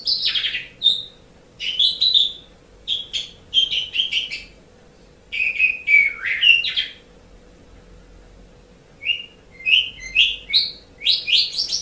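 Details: Asian pied starling song meant for training caged pet songbirds: varied bursts of harsh chattering and clear whistled phrases, some sliding downward, in clusters separated by short pauses, with a faint constant hum underneath.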